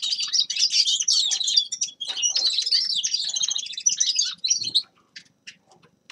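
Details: Grey-crowned goldfinch delivering long runs of fast, jangling twitters and trills, one brief break near two seconds, ending with isolated soft chips.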